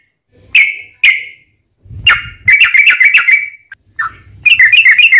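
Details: Yellow-vented bulbul in full fighting song, a long rapid 'ropel' series used as a lure to make other bulbuls answer: sharp bright chirps, then quick bubbly runs of repeated notes with brief pauses and low rumbling bursts between phrases.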